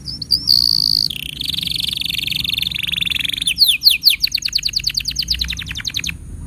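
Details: Canary master song for training juveniles and prompting silent birds. Short chirps lead into a high buzzy roll, then a lower sustained trill, then a rapid series of sweeping notes that slowly fade.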